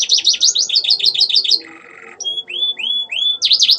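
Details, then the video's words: Canary song with copied Ciblek and Ciwah phrases: quick repeated zigzag high notes, a short harsh buzz, then clear rising-then-falling whistled slurs spaced about half a second apart, closing with a burst of rapid chirps. "Burung Kenari Gacor Mewah isian Ciblek & Ciwah(klik-klik)"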